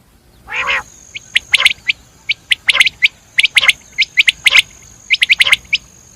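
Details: Common quail (batir) with a raspy low burst followed by rapid sharp clicking notes in pairs and triplets, repeated through the clip, over a steady high thin tone.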